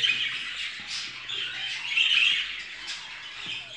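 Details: Caged pet budgerigars kept as a breeding group, one hen with her fourth egg, giving continuous scratchy warbling chatter and a few squeaky notes, with faint low indoor noise.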